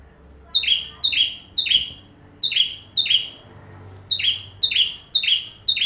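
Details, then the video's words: Bar-winged prinia in full song, a recording meant for training magpie-robins: crisp descending chip notes repeated rapidly in groups, separated by brief gaps, over a quiet background. "Burung ciblek tamu fulll gacor cocok untuk masteran murai batu"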